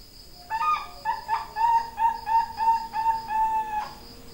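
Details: A zebra dove from Pasuruan gives a rapid cooing phrase of about ten soft, mellow notes, roughly three per second. The notes stay level in pitch and the phrase lasts over three seconds against a quiet background.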